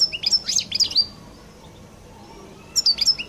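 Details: European goldfinch of the Collo type, Algeria, singing its distinctive song: a burst of bright twittering notes and short whistles, a pause of about one and a half seconds, then a second twittering burst.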